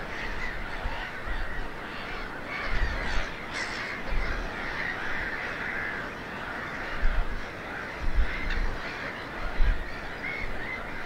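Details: Nesting colony of black-headed gulls on eggs at RSPB Snettisham, Norfolk, UK, on an 8 May 2018 afternoon; steady din of raspy, overlapping calls from many gulls, with occasional louder squawks and low bumping noises below.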